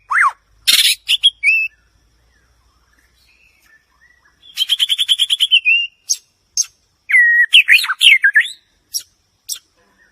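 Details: White-rumped shama (Copsychus malabaricus), song.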